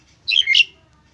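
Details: Asian pied starling song offered as a model for training other birds: a brief loud squawky burst of two harsh, noisy notes, falling then rising, over a quiet background.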